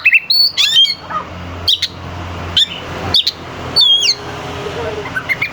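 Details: Oriental magpie-robin lure song meant to stir competing birds. Short, sharp whistled notes come in spaced bursts over a steady low rumbling background.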